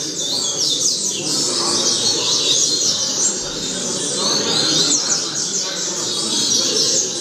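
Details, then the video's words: Rusty-collared seedeater tutor song played for young birds to learn from. Quick high chirped strokes, many sweeping downward, in fast bursts over a loud steady hiss that nearly buries them. "Coleiro Professor Aprendizado"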